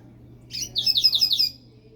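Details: Double-collared seedeater kept as a pet, singing: a short scratchy note, then a fast string of high, slurred, buzzy syllables lasting under a second, with a constant low electrical hum behind.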